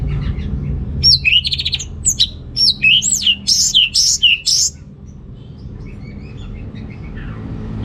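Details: Orange-headed thrush in full song, used as a lure to stir males lacking breeding drive: a burst of rapid, high, varied whistled and slurred notes over about four seconds, then quieter scattered chips against a low background hum.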